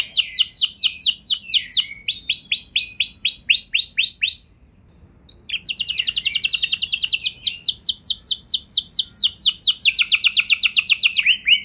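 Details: Domestic canary singing a long rolling song, used to prompt other canaries to sing along. Loud, clear series of rapid, repeated downslurred whistles in fast rolls, changing phrase every few seconds, with one brief pause, in a quiet setting.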